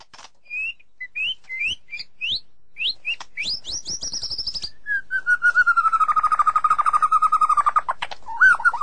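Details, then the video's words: A White-rumped shama sings a run of clear, rising whistled notes that break into a fast, lower, buzzy rattling trill and end with a final whistle. "เสียงนกบินหลาดง (นกกางเขนดง) White-Rumped Shama Sound"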